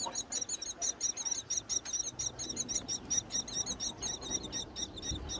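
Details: Wild myna nestlings on a tall palm tree begging as their mother arrives with food during nesting season: dense, insistent, high-pitched, rasping chirps in quick regular bursts, roughly two per second.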